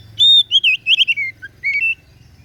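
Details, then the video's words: Oriental magpie-robin of the kacer daput type singing: a series of clear, high whistled notes, a long steady whistle, then quick slurred and warbled phrases and a final rising whistle, with a faint low hum beneath. "KICAUAN KACER DAPUT MEMPESONA"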